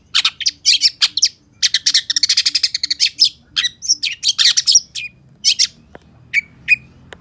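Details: Long-tailed shrike (cendet pentet) in gacor song: dense, rapid scratchy chatter for several seconds, then scattered single notes and thin whistles, with a faint regular low ticking underneath.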